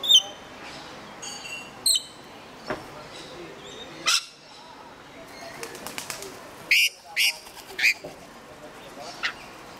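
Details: Rainbow lorikeets in an Australian backyard give short, sharp shrieking calls spaced a second or two apart, a quick burst of rapid notes in the middle, with whirring wingbeats and soft rustling between calls.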